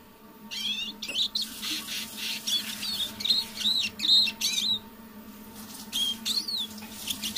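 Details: Decoy siskin kept indoors, singing softly in the evening: broken bursts of high chirps and wavering whistled notes separated by short pauses, a low hum running underneath.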